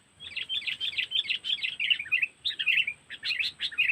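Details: Continuous bright chattering twitter of a sooty-headed bulbul (kutilang), cengkeram style, used as a lure for trapping in Lampung, with short pauses between dense bursts of notes.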